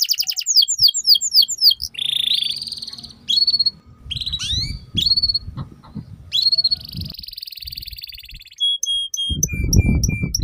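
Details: Canary song played to train young canaries to sing quickly: a rich, varied run of rapid trills, rising whistled sweeps and buzzy phrases, ending in evenly spaced high pips, with low thumping noise underneath.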